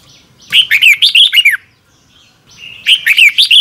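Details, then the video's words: Red-whiskered bulbul giving a morning lure song in the double-twist voice: a tight run of rapid, bouncing whistled notes, a pause of about a second, then a second burst just as quick. "Luyện chào mào hót sáng 2022 - Hót hay nhanh căng lửa | Ép bổi Giọng xoắn kép 6789 tuyệt vời!!"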